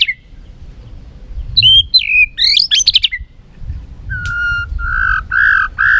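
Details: White-rumped shama in competitive singing, flicking its tail: a few quick whistled slurs and a rapid twittering phrase, then a run of four loud, even, slightly buzzy notes spaced about half a second apart.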